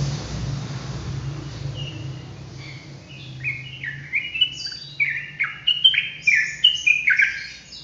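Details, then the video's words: Sooty-headed bulbul starting quietly, then building into a rapid volley of clear slurred whistles and short chirps that sound denser and louder toward the end, over a low background hum. "TRUCUKAN ROPELAN GACOR"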